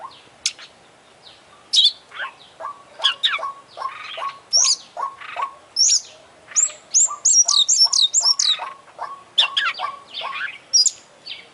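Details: Champion kacer, or Oriental magpie-robin, with a full song of borrowed phrases: fast high chirps and whistled slurs over a repeated chip series, livening into a rapid burst of bright twittering midway.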